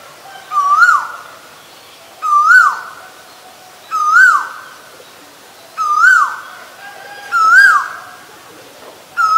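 An Asian koel gives five loud, swooping notes that rise then drop, one about every two seconds, against a quiet background.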